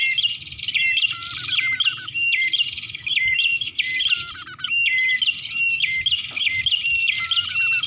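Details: Bar-winged prinia calls intended as a lure: an unbroken stream of sharp, high chirps and stepped whistled notes, broken by recurring harsh, ringing bursts about every one and a half seconds.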